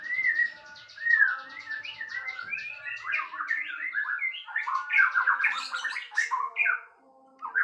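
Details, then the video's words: Sooty-headed bulbul singing loudly: a varied run of mid-pitched warbled and slurred notes, some rising, delivered in quick bursts with brief pauses, against a quiet background. "Suara Kencang Beset Kapas Tembak"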